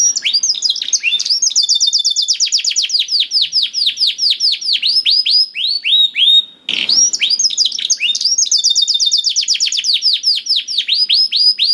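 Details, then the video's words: Continuous canary song meant to stimulate a silent canary to sing: dense rapid trills of downward-sweeping notes rolling on for seconds, a short gap with a faint rustle, then more fast high trilled phrases. "PANCINGAN KENARI SUSAH BUNYI AUTO NYAUT GACOR TANPA HENTI || VOICE OF CANARY"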